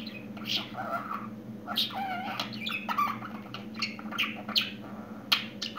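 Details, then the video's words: Budgerigar, described as newly talking, giving rapid warbled chatter with squeaky chirps and clicks, mixing bursts and sustained buzzy phrases, over a steady low indoor hum. "Yeni Konuşan Muhabbet kuşu"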